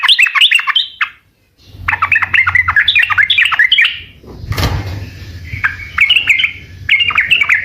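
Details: Sooty-headed bulbul delivering bubbly, jumpy phrases of slurred whistles, with a low hum underneath and a sharp noise mid-way before clipped chirps resume.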